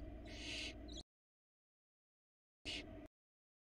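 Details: Barn owl chicks begging in a Florida nest box while their mother brings prey: one drawn-out hissing screech, then a gap and a second short rasping burst.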